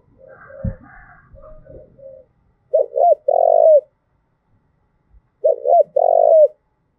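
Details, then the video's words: Đồng Nai spotted dove uttering the provoking "thúc gù" coo, used to excite and train decoys: after a brief clatter and low muffled cooing, two loud phrases, each two short hooked notes and a sustained falling coo. "tiếng cu thúc gù hay"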